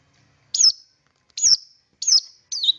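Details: Long-tailed shrike sound used as a lure to get other shrikes singing: four short, high, slightly harsh squeaky notes with a falling tail, spaced about half a second to a second apart, otherwise quiet.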